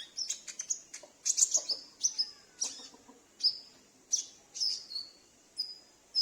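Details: A home-kept sunbird replying to lure sounds used to draw in wild birds: bursts of sharp, very high chips and short thin whistles, some sliding down, given in quick clusters with brief pauses.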